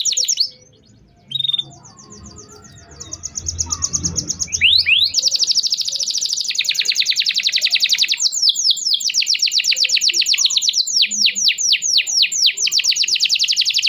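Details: Canary song used to stimulate canaries that stopped singing: a few short high phrases, a near-silent pause with faint low noise, then a sustained loud rolling trill with interspersed down-slurred whistles.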